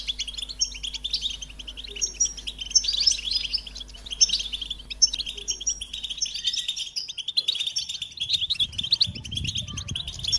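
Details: High, rapid twittering song of American goldfinches, many voices overlapping in a bubbling chorus, with a brief low thump toward the end.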